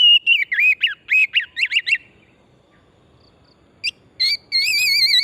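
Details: Energetic oriental magpie-robin of the forest type, singing in a recording used as a singing lure: a fast run of wavering whistled notes, a quiet gap, then sharp notes and a sustained trilled whistle.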